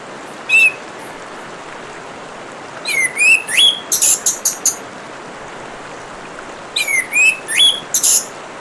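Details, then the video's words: Orange-headed thrush over a steady hiss of running water: a lone whistled note, then twice a phrase of falling-then-rising whistles followed by quick high chattering notes, the two phrases about four seconds apart. "Kicauan Burung Anis Merah dan suara Gemericik Air"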